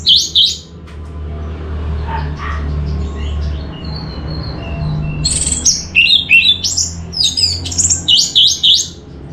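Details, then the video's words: Orange-headed thrush lure song to trigger other birds: a quiet opening with faint high notes, then from midway a loud, busy sequence of whistles, buzzes and chattering phrases in quick succession. "Suara ANIS MERAH Cepat Gacor Pancingan Jitu"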